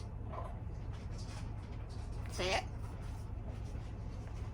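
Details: An African grey parrot, re-homed seven weeks earlier, gives a short, bright, speech-like call summoning the household dog to come and eat, his first time calling her.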